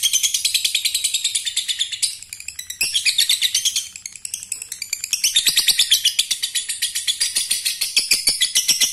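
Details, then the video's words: Lovebirds, a male calling a female and setting the other lovebirds chattering; dense, continuous high shrill chirping in rapid pulses, with brief dips in intensity, several birds overlapping. "Lovebird jantan memanggil betina ampuh membuat semua lb lain ikut bunyi ngekek"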